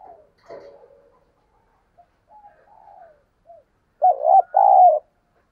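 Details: Spotted dove used as a decoy to draw in wild doves. Scattered soft, low coo fragments are followed near the end by two loud, full coos close together.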